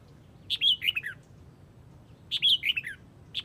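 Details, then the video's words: Red-whiskered bulbul from Huë calling its flock with a bright, warbled phrase of quick, slurred whistles falling in pitch, given twice about two seconds apart, the second phrase starting again at the very end. "Chào mào Huế gọi bầy"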